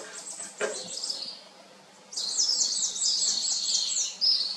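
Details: A gray kingbird early in the morning, perched and preening, singing and calling out to other kingbirds, gives high, buzzy, twittering chatter in quick rolling bursts, with a short low thump and faint background noise.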